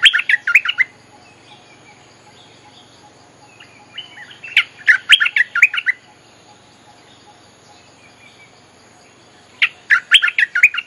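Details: Lure song of a bulbul for calling wild birds: three short, rapid phrases of warbled, chattering notes, spaced about four to five seconds apart, with softer twittering in between.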